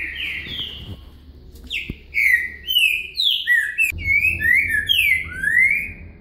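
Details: Green-winged saltator song in the "boca mole com virada" style, played as a singing lesson: a run of loud, sliding whistles, rising and dipping in quick succession after a faint opening, with a constant low hum.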